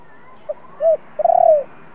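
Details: A single 'kích bổi' coo phrase from a spotted dove decoy of the 'thổ' voice: a brief faint note, a rounded hollow coo, then a longer, slightly tremulous falling coo over near-silence.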